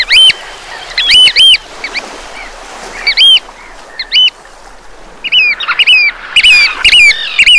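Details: Eurasian oystercatcher on the Breton coast, France, giving loud shrill piping calls in short clusters, sharp high notes repeated irregularly and growing busier toward the end over a soft background of surf.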